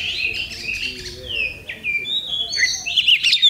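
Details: Oriental magpie-robin singing at an Indonesian bird contest, October 2020, with sustained whistled notes, slurred sweeps and buzzy phrases, ending in louder, harsher notes over faint background murmur.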